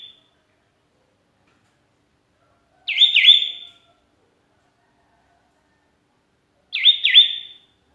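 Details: Lonely sooty-headed bulbul calling companions, used as a lure: bubbly two-note whistled phrases with a trailing whistle, repeated roughly every four seconds.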